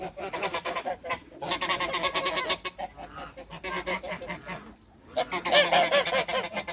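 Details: African and Toulouse geese on a farm honk together in a dense chorus. Rapid, repeated, nasal calls come at roughly two to three per second, pause briefly near the fifth second, then resume loudly.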